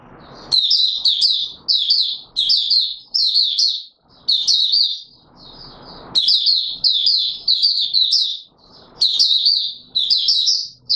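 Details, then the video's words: Courtship song of an Oriental white-eye, 25 January 2022: an eleven-second stream of high, rapid warbled phrases, delivered in quick bursts separated by very short pauses, with occasional faint low background sounds. "Mata Puteh Raja V2 in courtship mode"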